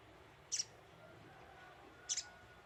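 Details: Two piercing, high double chips from a little spiderhunter (sogok ontong) used as a lure call, about one and a half seconds apart.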